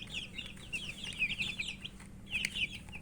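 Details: Thirsty baby chicks calling for water: bursts of thin, high, slurred peeps from several birds, a short pause, then another quick cluster of shrill chirps.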